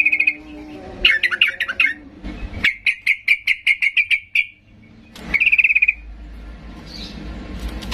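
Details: Sooty-headed bulbul singing agitatedly to provoke silent bulbuls into answering. A buzzy high trill, then a jumbled chatter, a run of about eleven sharp evenly spaced notes, and a final short trill.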